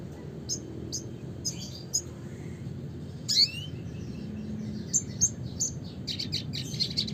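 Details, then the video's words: Classic red siskin song: sparse, high, thin chips and short twitters, with one louder rising squeaky phrase midway and a quick burst of notes at the close, over a constant low background hum. "suara kicauan burung red siskin klasik gacor (spinus cucullatus)"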